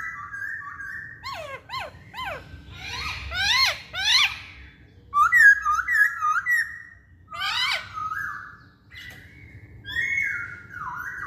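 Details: Lure song of a masked laughingthrush, played to provoke singing: clusters of quick descending notes, short paired whistles, and loud wavering phrases, separated by brief pauses in a quiet room.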